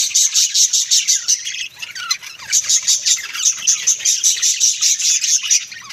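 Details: Several pet budgerigars kept at home chatter together, a dense stream of warbled, scratchy chirps pulsing about two to three times a second, with short twittering notes layered throughout.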